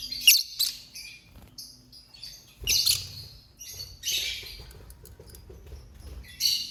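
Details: Lovebird producing rapid, high, raspy chirps and squeaks in several clustered bursts, some loud and sharp, others softer chatter, with faint low background noise throughout.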